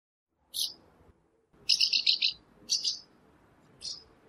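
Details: Swallow from Russia giving short, bright twittering chirps, a single note then a rapid run of four or five, followed by two spaced chirps, over faint low background noise.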